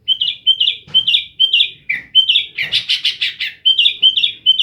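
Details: Loud gacor song of a kept sooty-headed bulbul (kutilang), Jember, East Java, Indonesia: clipped whistled notes repeated in a quick, even rhythm, broken midway by a burst of harsher buzzy notes.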